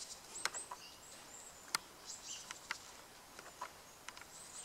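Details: A probable Pale Thrush, identity uncertain, on 10 February 2014 gives faint, very high, thin drawn-out notes at irregular intervals, mixed with a few sharp clicking sounds over steady background hiss.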